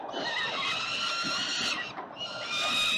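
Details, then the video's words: Quarrelling over a prey item, peregrines at Melbourne's 367 Collins building call at 5:07 p.m., 5 November 2022. A long, harsh, wavering scream fades near two seconds, then a fresh loud scream starts up. "367 Collins Falcons~Struggle about the prey"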